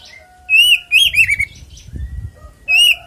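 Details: Oriental magpie-robin giving a fighting song, the ngeplong tarung konslet style meant to lure other magpie-robins to sing: three loud, ringing whistled phrases with quick pitch bends, a faint steady tone between them.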